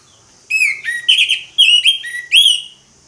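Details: Orange-headed thrush singing in the ngeplong style. It gives loud, clear whistled phrases, several of them sliding or rising, in four bursts separated by short pauses. A steady high hiss runs underneath.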